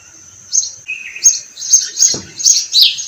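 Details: Sparrows on a farm or garden among flowering orange trees in spring chirp in short, bright bursts several times a second, with a thin steady high whine beneath and a brief low thump.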